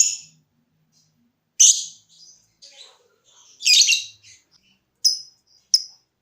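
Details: Lovebird giving scattered sharp high chirps and short harsh bursts with long pauses between them, part of a song style that begins with ticking (ngetik) before moving into trilling (ngekek).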